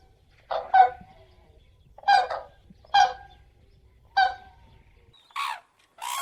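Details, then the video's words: Crane uttering resonant, nasal honks roughly one per second, with two harsher, breathier notes closing the sequence. "Голоса птиц как поёт Журавль (Grus)"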